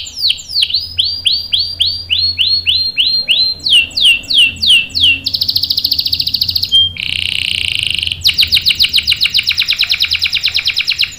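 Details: Canary singing as a lure to make other canaries respond: repeated descending whistled notes, then a rolling buzzy trill, a brief pure tone, and another long rapid trill.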